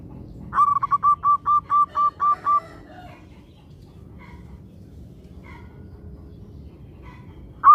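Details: Local zebra dove song meant to spur other zebra doves to sing: an accented first note followed by eight rapid, evenly spaced cooing notes, then quiet with faint distant sounds and one final note at the end.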